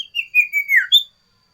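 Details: Sooty-headed bulbul (sirtu) in a varied, loud song style used as a tutor for cipow and as a lure for wild birds: a run of clear whistled notes, gliding down and ending on one higher bright note.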